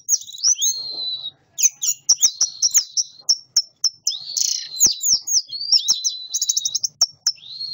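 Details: Caged orange-headed thrush from Malang, fed live earthworms, singing in the classic style while chattering: rapid high whistled phrases, sweeping slurred notes and quick trills, varied and nearly continuous.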